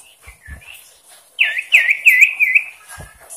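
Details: Sooty-headed bulbul singing persistently in a varied song meant to provoke rival birds: after faint scattered chirps, a loud burst of bright whistled warbling with quick looping trills, then quieter notes and soft background noise.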